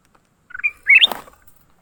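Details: Leafbird caught during a fight, giving two short harsh notes that rise and sweep upward, the second louder, followed by a brief scuffling rustle.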